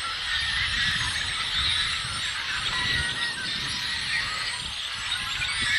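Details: Yellow-headed blackbirds recorded on April 19, 2016: a dense, continuous chorus of many overlapping squeaky, buzzy and whistled calls, steady throughout with no pauses, plus faint low rumble beneath.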